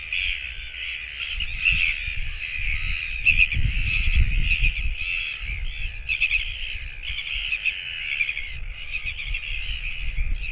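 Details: On a day when no parents came back, a lone Royal albatross chick on a camera-watched nest (24 July 2024) calls loudly and almost without pause. The nasal, wavering notes run together while gusts of wind rumble low underneath.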